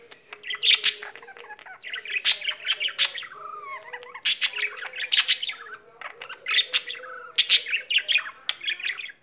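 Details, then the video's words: Caged pet budgerigar keeps singing without stopping, a fast babbling warble of clicks, harsh squeaks and bright chirps, with a soft wavering whistled phrase in the middle. "Mirtillo, il cocorito canterino"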